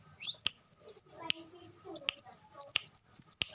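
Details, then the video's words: Two quick bursts of shrill, sliding twitters from a kolibri wulung sunbird, notes wavering up and down, a brief silent gap in between and a few faint clicks. "suara burung kolibri wulung"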